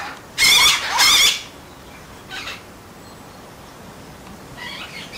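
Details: Amazon parrots trained for free flight, calling to keep vocal contact with other Amazons while crows are nearby: two loud, harsh, harmonic squawks in quick succession, followed by fainter, shorter calls against a quiet background.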